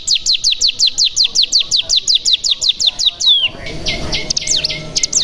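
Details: Mountain tailorbird song used as a lure to make other birds sing: rapid series of high, downward-sweeping whistled notes repeated nearly three times per second, then a long descending note and a different burst of sharp, zigzagging high trills.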